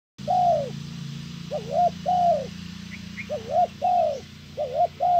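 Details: Spotted dove used as a decoy, calling to draw in a wild bird: deep cooing phrases, a short doubled coo then a longer drawn-out falling coo, repeated in bursts, with a steady low hum underneath.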